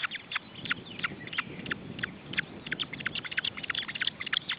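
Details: Osprey chicks being fed at their nest in Estonia in June 2012: quieter, irregular high whistled peeps, some with a downward slur, over low rustling and murmuring noise.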